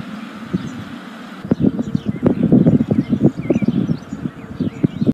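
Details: White storks nesting atop a chimney in a yard in Ságvár, Hungary, with wetlands and meadows around, live nest camera, 2024, day 36; a fast series of hollow low clattering knocks after a short quiet start, faint bird chirps behind.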